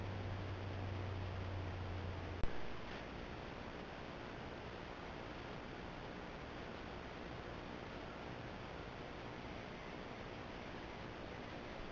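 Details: Only steady broadband hiss with a low hum and a single click near the start; no animal calls are heard.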